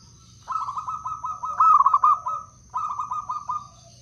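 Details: Blora wild-type zebra dove used for luring and as a song prompt. One long phrase of about two seconds, with soft rolling coos rising into a loud beaded burst, and then a second softer rolling phrase. A steady high hum continues.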